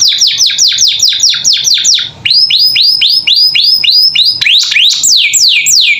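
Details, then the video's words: Vigorous gacor filler singing of a captive canary, played as tutor audio for young birds: a run of falling whistled notes, then a series of upswept notes and finally looping rise-and-fall phrases. "Masteran Kenari Gacor Isian Cocok Buat Paud Belajar Bunyi"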